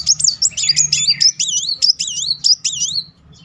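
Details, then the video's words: Van Hasselt's sunbird lure song: a fast string of high, sharply looping whistled notes, each bending up and down, repeated about eight times in three seconds. "Kolibri Wulung nembak beruntun -- pancingan Kolibri bahan maupun macet Naik emosi."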